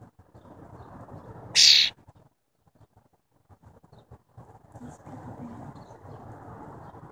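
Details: A tame wild cowbird gives a single loud, high, thin whistled note lasting a third of a second; low murmuring and faint background noise fill the rest.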